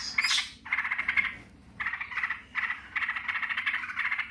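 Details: "Ngebren" rattling from yellow-vented bulbuls answering each other: an opening high squeaky note, then buzzy pulsed chatter in bursts separated by short silences.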